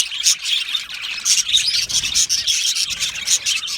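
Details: Budgie colony in an aviary singing and chirping happily: many overlapping high, scratchy warbles and bright chirps in a steady, busy chorus.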